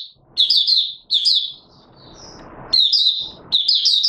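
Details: Mata Puteh Raja (Oriental white-eye) singing 'buka sing', recorded on 24 March 2022: four quick bursts of thin, high, chattering twitters separated by brief gaps, with a soft background hiss between phrases.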